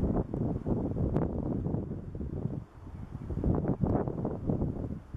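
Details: Gusting wind buffets the microphone with low rumbling, and no birdsong or other animal sound stands out.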